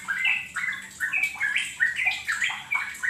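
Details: Sooty-headed bulbul song played as a lure to get other birds singing and calling: bright, bubbly warbled phrases of quick rising and falling notes, delivered in short bursts roughly every half second.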